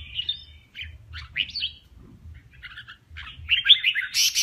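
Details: Male red-whiskered bulbul singing in a contest in kè kích style: short, scratchy chattering bursts separated by brief gaps, ending in a louder jumbled phrase, with soft low thumping underneath.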